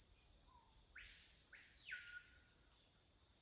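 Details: Screaming Piha (capitão-do-mato, Lipaugus vociferans) singing in the Amazon forest near the riverside community of Santa Luzia do Baré, Lago Amanã: a soft low whistle, then two loud, sweeping upslurred whistles, over steady high insect buzzing.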